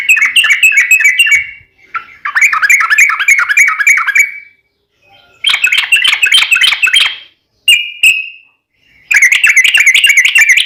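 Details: Yellow-vented bulbul (trucukan) in combative, long rolling song used as a lure to make another bulbul answer: fast, bubbly, wavering chatter delivered in dense runs of one to two seconds, with gaps and one brief lone note between.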